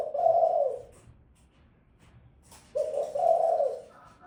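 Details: Female spotted dove calling indoors, two mellow, husky low coos about two and a half seconds apart, each swelling and fading over roughly a second, with quiet room background between them.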